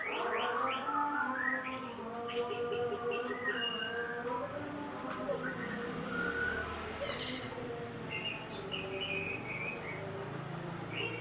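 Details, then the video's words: White-rumped shama, locally called murai batu, singing long varied whistled phrases at mid to high pitch, some notes sliding and overlapping, with brief sharp high notes, over a steady low hum and dense background sound. "burung murai gacor"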